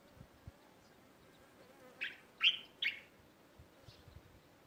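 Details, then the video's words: Three loud, high chirps from sparrows in a neighbourhood garden, spaced about half a second apart midway through, set against a quiet background with faint distant tweets. "تغريد عصافير في حديقة حينا"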